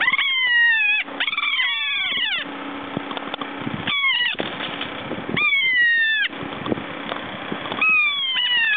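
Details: Several kea pestering one another, giving loud, descending, wailing screeches in repeated bouts over a constant rumbling background noise.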